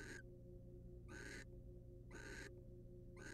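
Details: Wild barn owls at a nest box during mutual preening, male on female; four quick, harsh, airy rasps close together, nearly one per second, over low background hum.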